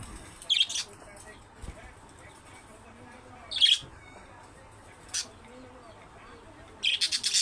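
Budgerigar giving short, scratchy, high-pitched squawks and chirps at irregular intervals.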